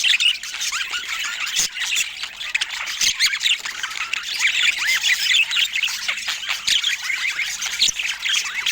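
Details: Rare budgerigars chatter continuously in soft natural light, a busy stream of warbled chirps, short upward and downward squeaks and occasional sharper squawks over nearly nine seconds, with brief clicks and no people or music.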